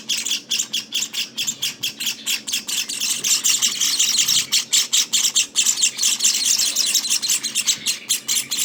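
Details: Eighteen-day-old Java sparrow nestlings keep up rapid begging: shrill, rasping high notes pulsing over two per second, merging into a near-continuous hiss at times.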